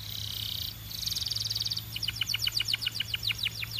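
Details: Belgian canary singing: a fast buzzy trill near the top of the range, then a rattling run of short notes, followed by a series of quick repeated downward-sweeping whistles; faint steady hum underneath.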